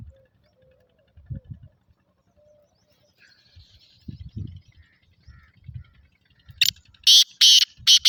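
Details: Black francolin, called Sindhi kala teetar, a bird offered for sale; loud rasping call of four broad harsh bursts close together at the end, after quiet low thumping background sounds.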